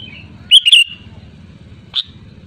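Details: Sooty-headed bulbul giving a loud rival-challenging call, used as a lure: one quick bubbly two-part phrase, then a single sharp note about a second and a half later, above a low droning hum.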